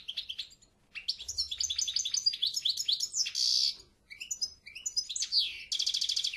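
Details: Continuous, lively European goldfinch song: fast tinkling twitter, a buzzy drawn-out note mid-phrase, swooping slurs, and a closing dense nasal trill, barely pausing throughout.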